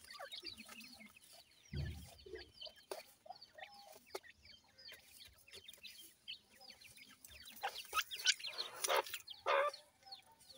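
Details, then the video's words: Feeding, playing grey francolin chicks produce many quick high downslurred peeps, scattered at first and then crowding together and growing louder toward the end, with one low thud early on. "gora teetar chicks feeding,teetar chicks playing"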